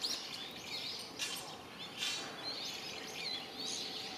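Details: Japanese pygmy woodpeckers at a nest in mixed woodland during fledging, 8 May 2020, with parents urging the young out; a series of buzzy, grating high calls repeats irregularly, broken by brief rustling noise bursts.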